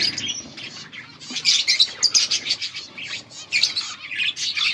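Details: Breeding pair of budgerigars giving mating calls, recorded August 16, 2024: dense, bright warbling chatter with quick chirps and trills, loudest in bursts around the middle and end.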